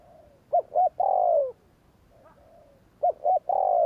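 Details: Spotted dove "gù kích" coo: two short hooked notes and a long downslurred coo, repeated twice, with a quieter distant coo in the gap.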